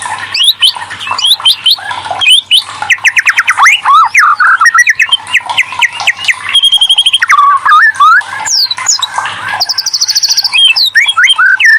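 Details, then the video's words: White-rumped shama, murai batu, lure song meant to prompt other shamas to answer and sing: a loud continuous stream of varied whistles, rapid slurred notes, rattling trills and a fast repeated high note series near the end. "TERAPI MURAI BATUterampuh burung macet langsung gacor"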